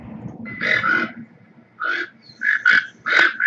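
Toco toucan giving harsh, rasping croaks: about five rough bursts in quick, uneven succession, with a faint low rumble underneath.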